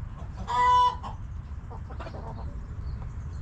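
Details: A hen in a backyard coop gives one loud, drawn-out squawk, followed by quieter scattered clucks against low background rumble.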